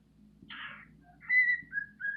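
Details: Pet bird indoors, showing off with a little hop while singing to impress females: a short buzzy burst, then clear whistled notes held near one pitch, with faint low room hum underneath.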